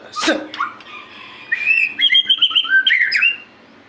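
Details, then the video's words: White-rumped shama singing energetically: a sharp sweeping note, then a run of clear whistled notes that jump between lower and higher pitches in quick succession, over steady low background hiss. "murai gacor"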